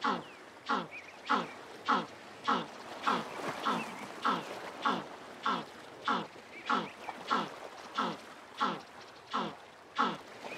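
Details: African penguin, also called jackass or Cape penguin, braying in its donkey-like way: a long series of harsh, harmonic honks repeated steadily about every two-thirds of a second, with faint background chatter.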